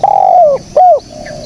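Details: Spotted dove used as a trapping lure, giving two clear mellow coos: a long level note sliding downward at its end, a short pause, then a shorter arched coo.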